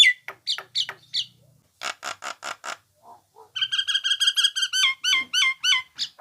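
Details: Nias hill myna song used as a tutor recording for songbirds: sharp falling whistles, then a burst of buzzy harsh notes, a low croak, and a long run of rapid clear two-tone whistles with bending slurred ends.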